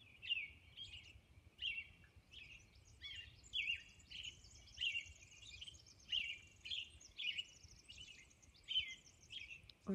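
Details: Robin at dawn on Orcas Island delivering a steady string of warbled, whistled phrases, about one per second, with fainter higher notes layered behind and a low rural hum.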